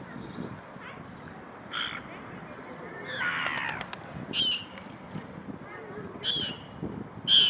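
Iceland gull giving a few short, harsh, high calls spaced a second or two apart, with a faint murmur of voices and outdoor noise behind.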